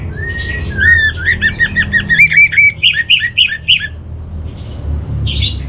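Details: Orange-headed thrush training song played to settle kept birds: sliding whistles lead into a fast series of repeated rich phrases, about a dozen in a row, ending with a short high buzz; soft low hum underneath.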